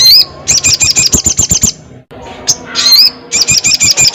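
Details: Crested jay calling loudly: a sharp upslurred whistle, then a quick buzzy rattle of about a dozen pulses, a short gap, another whistle and a second rattle.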